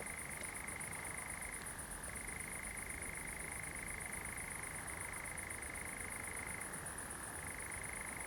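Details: A European nightjar suddenly starts churring at night on 7 July in a pine wood among glowing fireflies in Zamudio, Bizkaia: a long, even, mechanical trill dipping briefly in pitch now and then, over a thin, high insect buzz.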